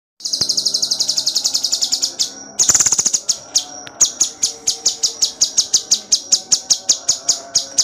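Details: Cucak cungkok singing nonstop in dense bursts, used as training song for songbirds: rapid high, sharp notes repeated about four times a second, broken by a brief fast buzzy trill near the third second; faint lower tones behind.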